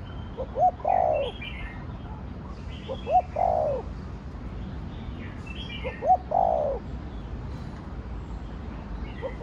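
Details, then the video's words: Spotted dove singing thổ đồng style coos. Three phrases, each a couple of short notes followed by a drawn-out downward coo, separated by longer gaps, while small birds chirp faintly in the background. "Cu gáy giọng Thổ Đồng Thúc, Gù kích bổi nhanh nổi/ tiếng chim cu gáy giọng thổ đồng gáy, cu đất gáy"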